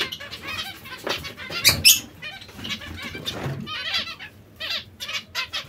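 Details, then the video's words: Zebra finch breeding pairs calling busily: loud, buzzy, stacked beeps with a sharp peak near the start, then scattered nasal chirps. "Diamante mandarino/coppie riproduttive"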